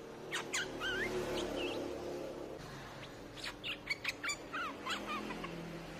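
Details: Streak-eared bulbul song played as a lure sound: short whistled phrases with quick rising and falling notes, several in a row, over a steady low hum.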